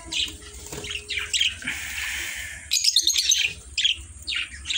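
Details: Budgerigars, the Australian parrots known as baajri, give high chirps and warbling chatter in uneven bursts over a low, steady hum.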